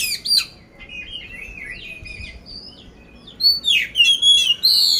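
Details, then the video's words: Oriental magpie-robin of the poci type from Magelang, Central Java, Indonesia, said to be ready for competition, with a rough 'isian kasar' song: sharp opening whistles, softer chattering notes, then loud swooping whistles and shrill chips near the end. "poci gacor isian kasar"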